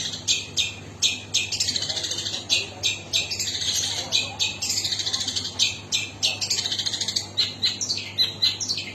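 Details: Long-tailed shrike in a long, varied outpouring of high, sharp notes and fast trills, repeated in bouncy phrases of about three per second, with harsh scratchy passages.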